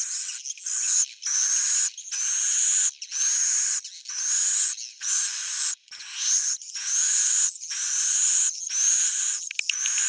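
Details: Swiftlet roosting lure (suara inap): loud, high-pitched buzzing chatter in repeated bursts about a second long, with short breaks between them and slightly upward-sliding whistled strands.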